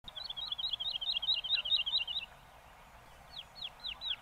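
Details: Woodlark (Lullula arborea) singing in Castricum, the Netherlands: a two-second run of quick, looping, high warbled notes, a short pause, then four slower slurred notes falling in pitch.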